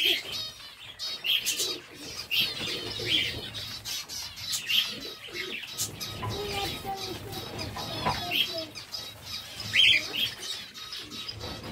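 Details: Zebra finches in captivity make nasal, buzzy call notes that pop up repeatedly over a dense chorus of chirps, with faint low cooing underneath.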